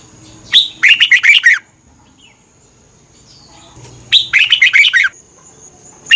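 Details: Red-whiskered bulbul, a Thai cage bird, song played to train birds or excite them: two bursts of rapid, bright warbled phrases about a second long, spaced roughly three seconds apart, with a faint steady high hiss between.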